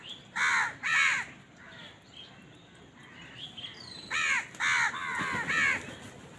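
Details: Crows at food give two loud caws, then softer chattering notes, then a rapid series of four or five harsh, clipped caws.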